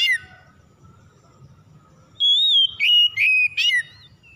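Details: Oriental magpie-robin song as a singing lure: a quiet stretch of low hum, then a loud clear wavering whistle followed by three quick downward-sweeping notes, the phrase delivered in about two seconds.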